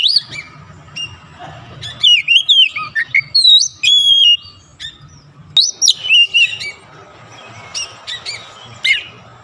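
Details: Magpie robin, a caged bird, singing eagerly: varied loud whistles, slurred high notes and short sharp calls delivered in quick bursts, separated by quieter chattering passages.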